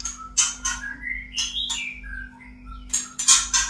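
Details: White-rumped shama in breeding condition, kept in a cage: quieter whistled notes gliding up and down between scratchy, noisy bursts, over a steady low electrical hum.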